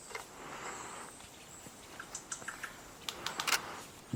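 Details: Male Rufous Vanga in Kirindy dry deciduous forest, western Madagascar, beak-snapping display seemingly in response to another calling Rufous Vanga: a burst of sharp, dry clicks, about eight in under two seconds, faster toward the end, over soft forest hiss.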